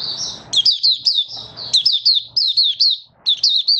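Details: Mata puteh, the Malaysian oriental white-eye, being trained into form, delivers a fast continuous string of high, bright, slurred chirps, nearly unbroken, with a brief pause near the end before resuming.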